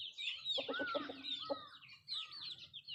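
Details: Country chickens eating, with a quick series of four or five low clucks early on, then a single cluck, all under continuous shrill, downslurred chick peeping.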